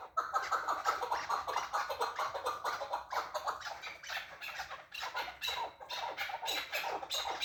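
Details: Excited chukar partridge giving a continuous run of rapid, clucking chuck notes, dense and slightly uneven in rhythm, with a scratchy, rattling texture throughout.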